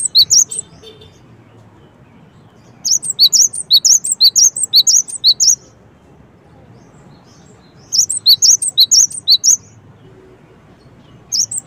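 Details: Gelatik batu, the cinereous tit, calling in three spaced bursts of rapid, high, sharp chirps, each bout lasting a couple of seconds with quiet background between.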